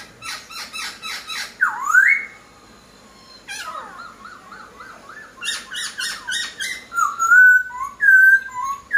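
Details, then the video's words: A Chinese hwamei sings loud, varied whistled phrases: quick runs of repeated notes, then sweeping rising slurs and clear fluting whistles, with brief pauses between bursts. "POKSAI HONGKONG GACOR"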